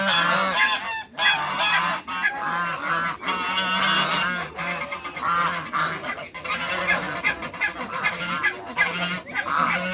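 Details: African and Toulouse geese, six birds meeting others, keep up a dense, harsh honking chorus, calls overlapping steadily with short dips in loudness.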